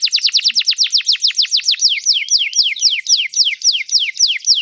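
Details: Canary singing, played to train young canaries: a rapid series of sharp descending chirps, about four per second, shifting midway into looser swooping whistled notes.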